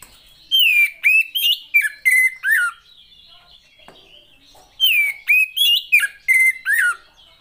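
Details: Female Oriental magpie-robin, offered to stimulate males that will not sing: two matching phrases of six or seven loud slurred whistles, rising and falling, separated by about two seconds of faint twittering.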